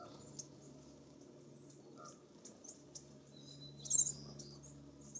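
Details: American bushtits, a flock swarming a suet cake, give thin, very high, scattered tsit notes with a louder twittering burst near the end over a faint low hum.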